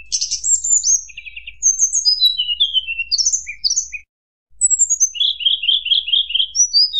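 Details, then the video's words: Rival-provoking fluted song of a tledekan gunung: rapid high whistles and brief trills tumbling downward, a short silence, then descending whistles and a run of about eight quick repeated notes. "tledekan gunung nyuling bikin lawan emosi"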